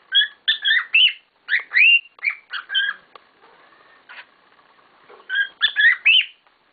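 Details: Pet cockatiels give quick bursts of bright, rising chirps and short whistles in two bouts separated by a quieter pause.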